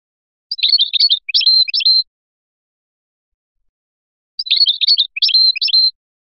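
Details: European goldfinch from Biskra singing in the Felyachi style: two twittering bursts of rapid, jumbled high notes, each about one and a half seconds long, separated by a long silent pause.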